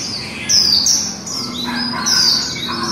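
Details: Brief líu song of a female white-eye: two loud, high, sliding whistled sweeps half a second and two seconds in, surrounded by fast, thin chittering notes.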